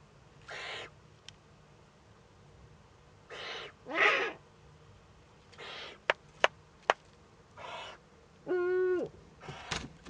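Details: At a nest camera in northern Rhineland-Palatinate, Germany, 15 May 2013, a young Eurasian eagle-owl making first contact with an adult: a string of harsh hissing bursts, a few sharp clicks, and one steady, clear harmonic call near the end.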